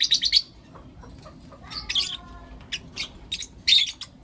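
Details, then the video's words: Lovebirds, blue opaline and lutino opaline, in the morning giving rapid shrill chirps, a few soft falling whistles, then another harsh high burst. "Lovebird Chirping Sounds and Call Sounds From Blue Opaline & Lutino Opaline"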